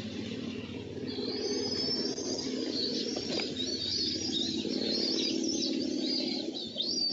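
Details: Bald eagles at the nest on June 1, 2014, during a steal, mantling and a tug of war: thin, high, wavering whistled notes run through a constant low rumbling background.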